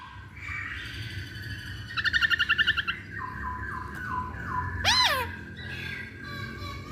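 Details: Masked laughingthrush song played as a lure to make other birds sing: a fast stuttering burst of about ten pulsed notes, level whistled notes, and one loud rising-then-falling arc.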